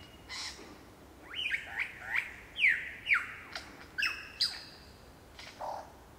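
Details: Superb lyrebird in full song at Olinda State Forest Reserve, a rapid run of loud descending slurred whistles about two per second, mixing clear and harsh notes, followed by a sustained high whistle and a low closing note.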